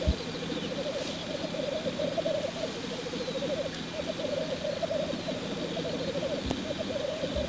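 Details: Black grouse cock displaying at a lek. Unbroken bubbling, rolling coos repeat in long phrases, with a couple of sharp clicks and faint hissy noise higher up.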